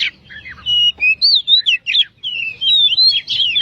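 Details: Oriental magpie-robin (kacer) in full song, used as a master recording to prompt lazy birds to sing: clear looping whistles and quick slurred notes, delivered in short separated phrases.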